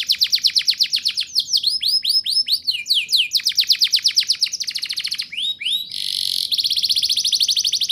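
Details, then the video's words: Lively rolling song of a canary, a training lure for young canaries: rapid trills alternate with sweeping downslurred phrases, a short harsh buzz, then another fast trill. "Suara Burung Kenari Gacor Ngerol Nembak! Ampuh Untuk Pancingan Kenari Paud Biar Bunyi"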